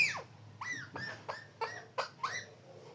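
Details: Parrot uttering a quick series of about seven short downward-swooping notes, roughly one every third of a second, bright and chattering, in a small quiet room.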